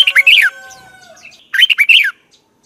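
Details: Red-whiskered bulbul morning song in the 'giọng kép xoắn' style, a decoy voice for training: two quick phrases of rolling, warbled whistles about a second and a half apart, with a faint steady tone between them.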